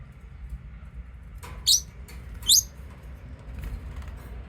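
A lovebird gives two sharp, high, shrill chirps less than a second apart, with a few fainter chirps after, over a low steady background hum.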